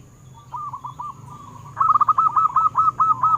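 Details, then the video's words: Local zebra dove song for prompting captive doves: soft spaced coos building into a louder, quick run of rolling cooing notes at a steady pitch, with a constant faint high whine. "Perkutut Lokal BIKIN GEGER - Suaranya mengundang BUNYI"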